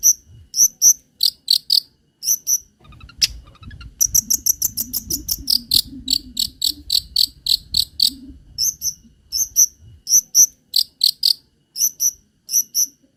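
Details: Long-tailed shrike song used to lure and tutor other birds. Bright, very high paired chips in quick runs, with brief pauses between bursts and a short faster stretch in the middle. Faint low rumble behind.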